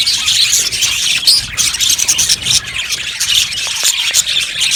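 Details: Colony of budgies in an aviary, loud continuous chirping and warbling from many birds, shrill squeaks and scratchy notes crowding together with small pulses of louder calls.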